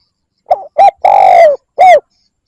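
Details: Spotted dove cooing to lure wild birds: one full phrase with a short wavering note, a clipped coo, a long hoarse drawn-out coo that dips at the end, and a falling final note, in quiet surroundings.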